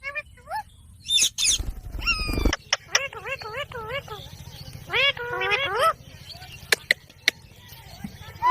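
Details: Ringneck parrot giving a run of harmonic, sharply bending calls, some rising and some rolling up and down, in quick bursts between short silences, with a low steady hum underneath.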